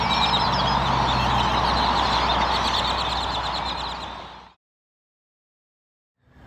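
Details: A deafening din of many Great-tailed Grackles at a grocery store in Texas's Lower Rio Grande Valley gives overlapping whistles, squeaks and rattling chatter for four seconds over steady traffic rumble, then silence.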